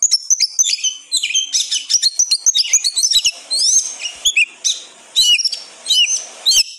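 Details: Energetic gacor ngotot song of an oriental magpie-robin, a full-emotion bird. A long stream of quick, varied whistles, sweeps and clicks, densely packed with brief gaps.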